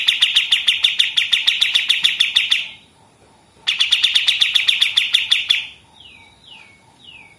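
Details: Pied triller delivering its machine-gun song for training other songbirds: two quick rattling trills of repeated high notes separated by a short gap, followed by three softer descending slurred whistles.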